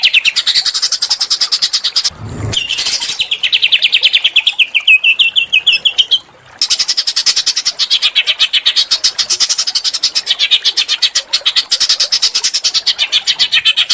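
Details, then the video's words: Small bird song meant to stir a white-rumped shama into singing: a long, fast, steady rattle of high ticking notes, broken once by a sweeping descending trill. "masteran burung kecil agar murai batu gacor"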